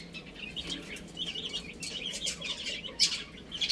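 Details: Group of chicks eating and playing, heard as a fairly soft, continuous chatter of high twittering peeps, with a few brief crackling taps near the end.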